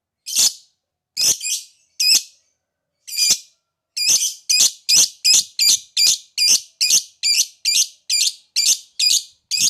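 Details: Lovebird giving harsh, high screeching notes, a few spaced calls then a long quick series at about two and a half per second; meant to prompt other lovebirds into ngekek song.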